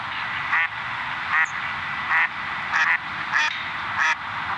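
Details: Male hooded mergansers diving and catching fish and crayfish, Cook County, Illinois, November 2022: about seven short, harsh, nasal duck-like calls, roughly every two-thirds of a second over steady background hiss.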